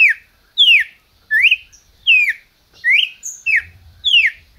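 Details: Red-crested cardinal from a Brazilian captive breeding project sings loud, whistled slurred notes, alternating rising and falling, roughly seven in under five seconds, over a little low rumble.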